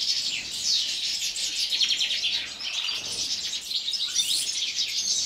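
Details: Aviary goldfinches in winter, singing as they do all day. Bright, chattering warbles and quick chirps overlap into a busy, ringing chorus, easing slightly in the middle before picking up again.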